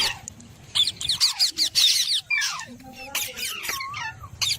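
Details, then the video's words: Pet talking parrot, called Mithu, making funny sounds: a burst of shrill, rapidly repeated high squeaks and chirps, then looping whistled notes and harsh squawks over about four seconds, indoors with a low background hum. "Amazing Talking Parrot Compilation"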